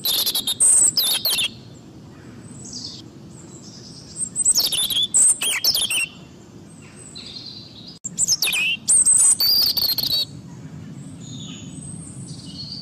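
European robin singing three short bursts of high, thin, warbling phrases, each about two seconds long with pauses between, over a faint low background hum.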